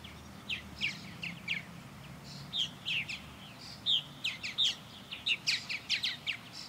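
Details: Purple martins orbiting a backyard birdhouse under blue sky; a steady run of rich, gurgling chirps and croaks, several birds overlapping, busier in the second half, over a low hum.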